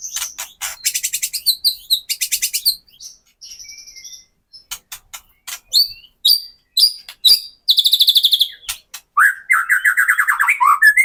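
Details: Lure recording of a captive white-rumped shama singing kretekan to make other shamas sing and show emotion; bursts of rapid rattling pulses, clear high whistles, scattered sharp clicks, ending in a dense buzzy trill.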